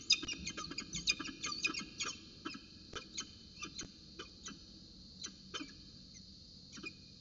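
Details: Peregrine falcons at Orange, 8.27 am on 4 December 2018, during a morning roundabout dance: rapid rasping notes in quick bursts, then sparser single calls spaced about a second apart, over a low background rumble.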